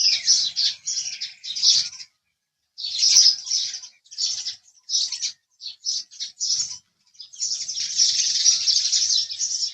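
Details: House sparrow chirping: dense bursts of high, harsh chirps in clusters, a brief silent gap near two seconds, then a long overlapping run of chatter toward the end, suggesting several birds together.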